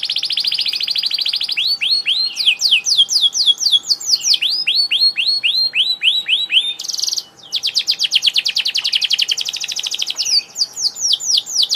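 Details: Loud, lively canary song: an opening sustained trill, then cascades of falling and rising sweeps, rolling rattles repeated about four times a second, with a faint background hum.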